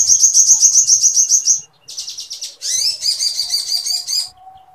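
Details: Sooty-headed bulbul kept for song training, pouring out mimicked woodpecker material: a rapid rattling series of high notes, a short pause, then a buzzy burst and rising chattered trills, with a faint steady hum behind.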